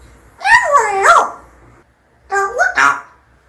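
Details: Pet parrot kept indoors, mimicking speech: two short bursts of voice-like syllables with gliding, harmonic-rich tones, the first rising and falling twice, the second slightly shorter after a brief pause, in a quiet room.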